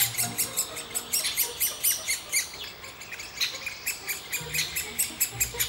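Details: Great spotted woodpecker (Dendrocopos major) in Baneasa Forest, May 2014, while feeding its young: harsh, high, buzzy notes repeated about three to four times a second in a steady chattering run, with faint background hiss.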